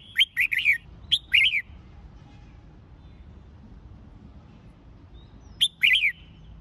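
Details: Red-whiskered bulbul in training for competitive singing, giving loud, bright whistled phrases: a rapid cluster of warbled notes, a second short group, then another phrase after a pause of about four seconds.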